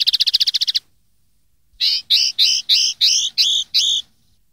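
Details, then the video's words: Common linnet song recorded in 2013 to teach young birds: a fast rattling trill of about ten notes, a pause, then seven louder buzzy twanging notes repeated roughly every third of a second. "cd educar pardillos noveles"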